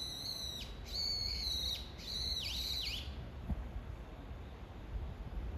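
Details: Repeated shrill calls of a brown-eared bulbul calling to its mate: a run of about four strident squeals with downward dips over three seconds, then quiet background noise.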